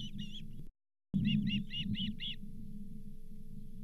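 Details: At the Charlo osprey nest on 31 July 2023, with a lake whitefish as the fifth fish of the day, an osprey gives quick high chirps. A short pair, a brief dropout, then six bright repeated notes over a low droning hum.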